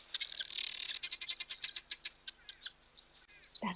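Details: Helmeted guineafowl at an African wildlife site give harsh, rapid, repeated alarm calls as a black-backed jackal runs past, scattering the birds.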